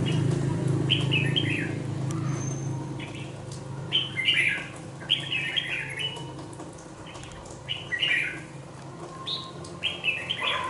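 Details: Caged two-month-old red-whiskered bulbul sings a string of short, lively warbled phrases, each a quick cluster of chirpy slurred notes, repeated roughly once a second. A low rumbling background fades out after the opening seconds.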